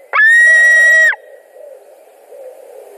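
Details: One long, steady, shrill scream from a white-tailed eagle at a nest in Latvia, 2 August 2020, during a carp delivery and fighting. It is held for about a second and stops abruptly, followed by faint low background sound.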